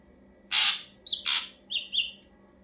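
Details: Ashy drongo, used as a lure so other birds respond: two loud, harsh, scratchy notes in quick succession, then a thinner buzzy trill held level for about half a second, over a constant low electrical hum.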